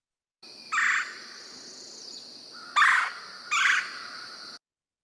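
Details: A Red-bellied Woodpecker (Melanerpes carolinus) gives its rich churr song, three rolling churrs, the last two close together, over a faint, steady high insect hum.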